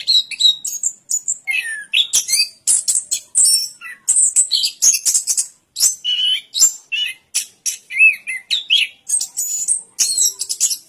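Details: Orange-headed thrush delivering a long, varied song mixing sweet whistled slurs, harsh high buzzes and quick chattering notes with almost no pauses.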